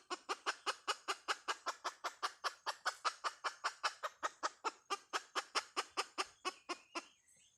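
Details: Hen chicken calling in the "Dib tsauj" style: a long, fast train of sharp, even clucks, roughly two and a half per second, holding steady for several seconds before tapering and thinning out at the end.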